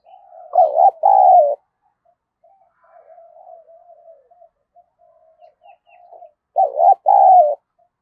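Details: Spotted dove decoy calling to provoke fighting: a loud two-part coo, then several seconds of faint, low continuous cooing, and another loud paired coo near the end.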